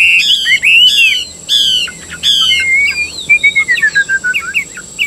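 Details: Singing caged Chinese hwamei: four strong, rich downslurred whistles with bright overtones, followed by a run of quick wavering notes and a descending series of short whistled pips.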